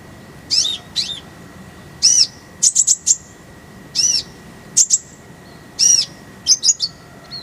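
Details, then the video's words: Purple-throated sunbird song, clear and full, meant for tutoring songbirds: separate very high, thin chirps, some slurred downward, in short groups of two or three, spaced about a second apart, with a faint steady hum underneath. "Masteran Kolibri ninja full isian, Roll tembakan Suara jernih"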